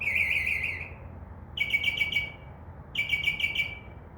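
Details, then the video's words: Northern mockingbird singing from a tree outside a window at midnight hours, a wavering trill then two bursts of five rapid scratchy notes, repeated phrase by phrase. "mocking bird makes crow sound, dove wing sounds and others"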